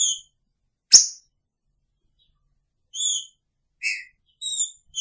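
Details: Caged green-winged saltator kept with its female in the same cage; a few short, bright slurred whistles separated by long pauses, with one sharp click-like note between them.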